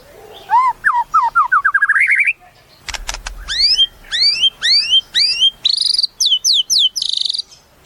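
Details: White-rumped shama in full song: varied rising whistles that quicken into a trill. A brief clatter leads into a string of loud upward-sweeping slurred notes, ending in high buzzy phrases.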